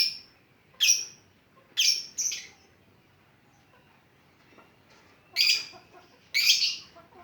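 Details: Lovebird ngetik lure: irregular shrill chirps, single and paired, separated by a silent gap of two seconds, ending with two louder, harsher chirps.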